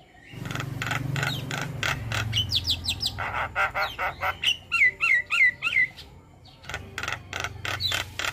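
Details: Caged-bird training audio of a starling: rasping, buzzy notes and quick whistled slurs over a steady low hum, with a clear run of four bright whistled phrases in the middle before harsh notes resume.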